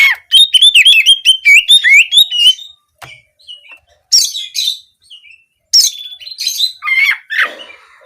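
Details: Oriental magpie-robin singing canary-style nembak kenari phrases as therapy to encourage singing: a long, fast stream of bouncing whistles, then pauses broken by harsh, scratchy bursts and downslurred notes.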